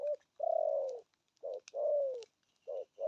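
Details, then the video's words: Spotted dove with a deep 'thổ âm' tone in 'thúc gù' cooing. Each short coo leads into a long, slowly falling coo, heard twice, with light clicking sounds in the background. "Thổ âm cực phê! thuc gù thúc kèm bài bản"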